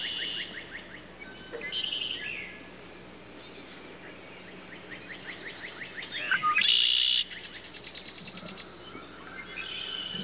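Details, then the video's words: Red-winged blackbird: sharp, high chipping notes in quick runs, then a loud buzzy trill in the middle. Other birds chirp faintly behind. "RED-WINGED BLACKBIRD SOUND EFFECT"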